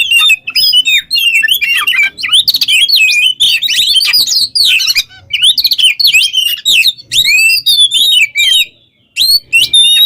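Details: Oriental magpie-robin (kacer) in full, energetic song, used as a training model for other songbirds: rapid varied whistles, sweeping slurs and harsh chattering notes packed into dense phrases with brief pauses.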